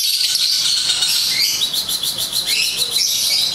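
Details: Imported lovebird with a Holland ring, producing high, thin, rapid chirping chatter with squeaky, wavering notes over a continuous hiss.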